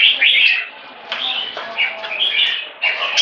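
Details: Red-whiskered bulbul in 'one stroke' singing that leads to 'keke': loud fluty bursts at the start, then a quieter dip and renewed chattering warbles, finishing with a sharp rising phrase.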